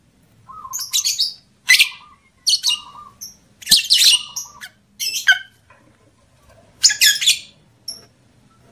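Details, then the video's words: Lovebird sounds for raising breeding drive in males and females: repeated bursts of sharp, high chirps, some ending in short lower whistled notes, spaced irregularly, roughly one burst every second. "SUARA PANCINGAN UNTUK MENAIKAN BIRAHI EMOSI JANTAN DAN JEBOL BIRAHI LOVEBIRD BETINA"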